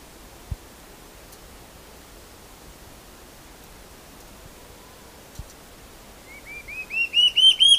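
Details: Large-tailed antshrike (Mackenziaena leachii) song: after a quiet start, a quick run of about eight upslurred whistles, each louder and slightly higher than the last, with two faint clicks earlier.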